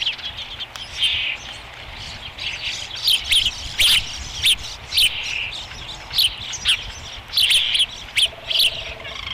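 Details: Osprey at the Dunrovin Ranch nest on 30 May 2016 while being fed, third feeding of the day; clustered high chirping calls in irregular bursts spread across several seconds, with brief clicks between.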